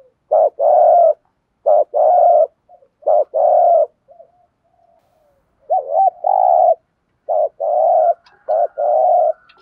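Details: Spotted dove giving a bird-luring call, loud repeated cooing in short groups of two to three hollow notes, steady mid-pitched phrases with brief pauses between, a faint higher squeak near the end.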